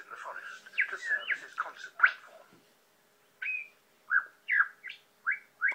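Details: Male lyrebird singing to persuade females, copying the songs of other birds: a varied run of whistled, sweeping notes and quick chirps, then after a pause a string of short rising whistles roughly every half second.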